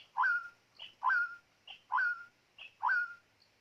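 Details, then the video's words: White-rumped shama used as a decoy bird for luring: clear whistled phrases, each a rising then level note, repeated roughly once a second with short softer notes between, in a quiet setting. "ต่อนกกางเขนดง ตัวนี้สุดยอดจีงๆ"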